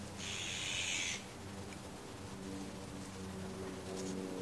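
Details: Azure-winged magpie gives one harsh, rasping call lasting about a second, followed by a steady low hum and faint background noise; recorded 22 April.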